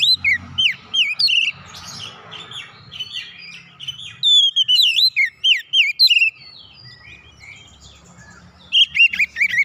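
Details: Oriental magpie-robin (kacer) song, offered as a recording to get a silent bird singing again: quick bursts of high, looping whistled notes and slurred chirps, with short pauses between phrases.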